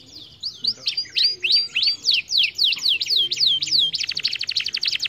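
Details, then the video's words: Canary song for stimulating lazy canaries to sing, a chain of bright V-shaped whistled notes repeated steadily, ending in a quick loud trill. "muito bom para estimular o som de canários preguiçosos"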